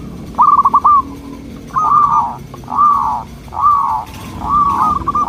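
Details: Soft, melodious song of a local zebra dove, used to draw replies from local doves: a quick stuttering trill, then four drawn-out purring, wavering phrases spaced about a second apart.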